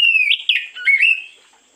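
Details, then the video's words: Oriental magpie-robin in the morning, recorded as a lure, giving a short loud burst of varied whistled notes with quick buzzy flourishes, fading out after about a second. "pancingan burung Kacer di pagi hari"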